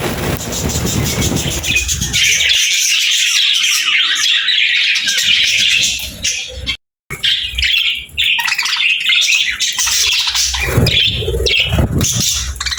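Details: Cheerful chirping of happy budgerigars set in nature sounds: a continuous, dense warbling chatter of many bright notes, with brief low rumbling at the start and a short silent break midway.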